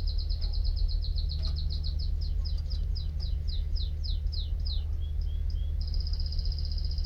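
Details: Canary singing a quick series of high, downward-sweeping notes that slow and spread out, ending in a steady, fast, even trill; a low constant hum underneath.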